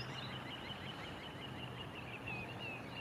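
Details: Three little ringed plovers, summer visitors, in Japan on a cloudy 24 April 2022 give thin, high, quickly repeated piping notes, some slurred downward, over a steady low rumble of background noise.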